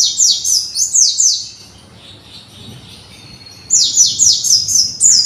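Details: Young white-eye in care, learning to sing and arrange its song: quick runs of high, thin, descending whistled notes in two bursts separated by a quiet pause of about two seconds.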